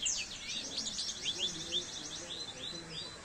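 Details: Masteran training recording of Oriental white-eye song for caged birds, a quick stream of thin, high, sweeping twitters and chirps, steady in volume over light background noise.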